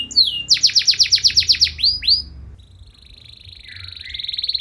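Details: Lively canary song meant to stir rival canaries: a quick series of sharp rising notes and a few swooping whistles, then a quieter, thin sustained trill, over faint low background noise.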